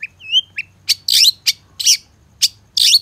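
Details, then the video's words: Long-tailed shrike song from a training recording: two clear slurred whistles, then loud harsh rasping bursts about every half second. A faint low background hum runs underneath. "Masteran Suara Cendet No #1❗Pancingan Cendet FULL Isian MEWAH"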